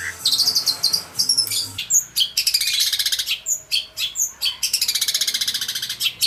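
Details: Kept long-tailed shrike still singing hard after its morning bath: long buzzy, rattling trills and bursts of rapid high ticks, broken by short pauses and sharp single chirps.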